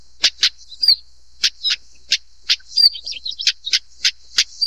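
Siberian Stonechat giving hard, stone-tapping 'tak' clicks, often in quick pairs, mixed with thin, high, rising whistles; otherwise quiet.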